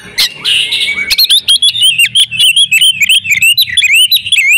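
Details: Oriental magpie-robin female in breeding condition, used to make males sing. A brief harsh buzzy note comes first, then a rapid string of wavering whistled upslurs and chirps, with low thumping in the background.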